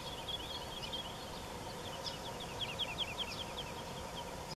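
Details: Woodlark heard in Germany's Wendland on 21 June 2018, sparrows chirping nearby: quiet rapid sequence of high, falling liquid notes strung together, masked by a steady noisy background.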